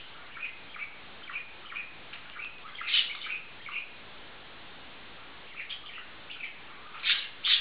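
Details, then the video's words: A bonded pair of male budgerigars kept as pets, giving soft scattered chirps and short warbled notes with a few louder squeaky calls near the end, over a quiet room background. "Zamilované andulky"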